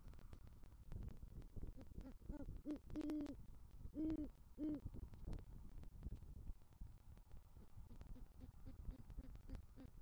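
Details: Male great horned owl calling for the female after bringing rodent prey to the nest, Southwest Florida at night; scattered faint hoots surround three prominent deep hoots in the middle, with background crackle.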